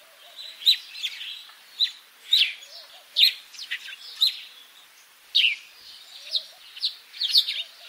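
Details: Sparrow in Africa chirping rapidly, a dense run of short bright notes, some doubled, with a steady soft hiss underneath.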